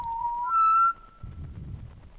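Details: A recording of an Australian pied butcherbird gives one pure, flute-like whistled note that steps up in pitch and holds for about a second, played during a talk, followed by faint room murmur.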